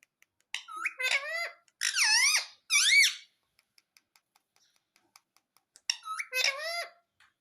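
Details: Pet talking parrot indoors that is known to say "mummy": a run of squeaky, bending, nasal calls in three quick bursts, a pause filled with faint ticking, then two more squeaks.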